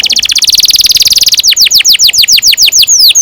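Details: A canary pours out a fast, buzzy roll of high repeated notes for about a second and a half. The song then breaks into slower, separate falling whistles. It is a lure song for training young canaries to sing.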